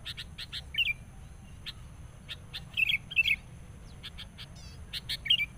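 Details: A trapping-decoy sooty-headed bulbul confronting a rival, furious and persistent. Clusters of gurgling, warbled notes come in bursts between sharp, high chirps, with a constant low hum.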